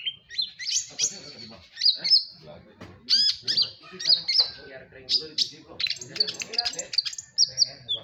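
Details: Madura long-tailed shrike singing vigorously: repeated sharp, high chips and rising whistled slurs in quick irregular bursts, roughly every two seconds, with faint talking and room noise below.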